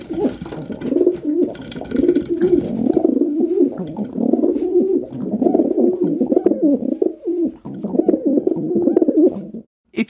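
Rock Doves coo in low, throaty, rolling phrases that overlap almost without pause, several birds giving soft gurgling notes together in a quiet enclosed space.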